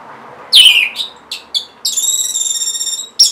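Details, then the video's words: Orange-headed thrush song, used to coax caged birds into singing: a loud descending whistle, a few short clipped notes, then a long rich buzzy trill lasting over a second, ending in a sharp high note. "C0COK Untuk Pancingan Burung ANIS MERAH Bahan Macet Ataupun Malas Bunyi"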